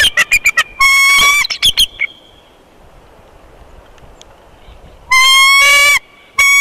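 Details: Bald eagle at the Big Bear nest on 24 February 2021 during an immature eagle's intrusion: a quick stutter of short clipped notes, then a long harmonic cry, a pause of about three seconds, and more long shrill cries.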